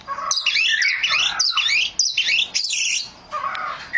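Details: Oriental magpie-robin in loud, rich song, with dense, fast-changing high warbles and twittering phrases delivered in bursts about half a second apart, broken by brief gaps.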